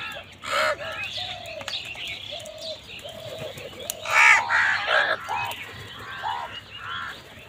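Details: Crows squabbling over food: harsh, nasal caws from several birds overlapping in irregular bursts, loudest in a dense cluster midway, with thinner chirping calls mixed in throughout.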